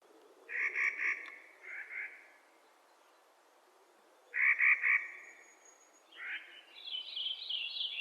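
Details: Clark's nutcracker calling in spring: harsh, grating rasps in three bursts, the first and third stuttered into quick pulses. Higher, thinner chirping notes from another bird follow near the end.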